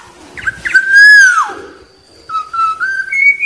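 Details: Black-naped oriole calling with a loud, smooth, fluty whistle that slides down at the end, then a quieter series of whistled notes stepping upward.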